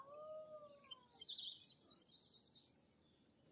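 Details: Bimaculated lark uttering a quick string of sharp, high, looping notes, about eight in a row. These follow two long, low whistles that fade out.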